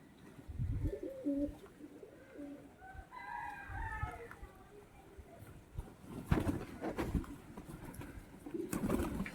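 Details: Pigeon cooing: low, soft rolling coos in the first seconds, then a brief higher harmonic call near the middle, followed by bursts of clattering, knocking noise toward the end.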